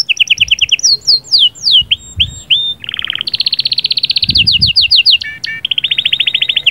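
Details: Canary singing to get the female ready, with varied trills: high downslurred whistles, a brief low buzzy roll, then a long fast rattling trill and a final run of rapid chips, all loud and close.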